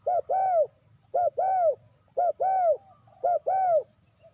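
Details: Spotted dove call used as a decoy for trapping wild doves: four paired coos, a brief note then a drawn-out curved one, spaced about a second apart over a soft low rumble.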